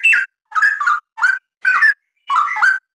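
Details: Cucak rawa, the straw-headed bulbul, delivering rapid mellow gurgling phrases of rich whistled notes that slide up and down, about five bursts in three seconds, against silence.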